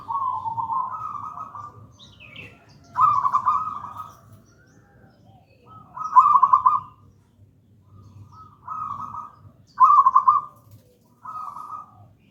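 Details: Wild local zebra dove, gedang rojo style, singing persistently as tutor and lure song: six trilled, rolling coo phrases spaced a second or two apart, some doubled, over faint low background rumble.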